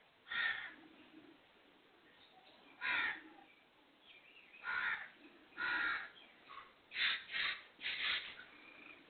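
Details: Harsh, grating calls of a black francolin, spaced a few seconds apart at first, then quicker paired rasping notes toward the end, over a steady background hiss.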